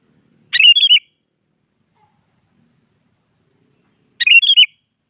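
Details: Sooty-headed bulbul singing at morning to challenge a rival; two rich phrases about three and a half seconds apart, each a sharp note followed by a rapid run of looping whistled notes, otherwise quiet.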